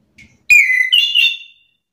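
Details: Agitated orange-headed thrush answering another bird's song: a single sweet whistled phrase, first falling and then lifting to a higher sustained note, preceded by a faint soft chirp.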